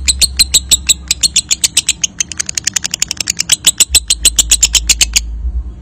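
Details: Lovebird giving a long ngekek trill, used as a lure to stimulate other lovebirds at singing contests: a rapid chatter of sharp, high, scratchy notes, about seven per second for over five seconds, then stopping abruptly, with faint low hum.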